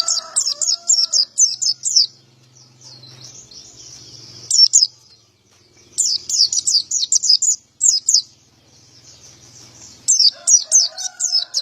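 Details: Male white-eye in lively 'gacor' song, described as 'ngalas ngeplong': bursts of rapid, high, sharp chirped notes in quick runs, separated by pauses, with a rooster crowing low in the background at start and end.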